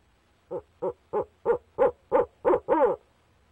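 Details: Male barred owl at the nest box calling to his mate, 29 April 2019: eight evenly spaced hoots roughly three per second, rising in loudness and closing with a longer, quavering hoot.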